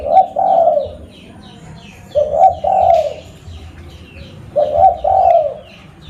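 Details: Local zebra dove kept as a lure bird, recorded at Busu Reului, Mutiara, Pidie, Aceh, Indonesia: soft, bubbly two-part coo phrases, each trilled then rolling, given three times about every two and a half seconds, with faint background hum.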